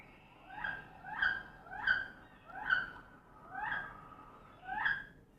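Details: A male Wood Duck gives six squealing, rising-then-falling notes, spaced about a second apart. The background is quiet.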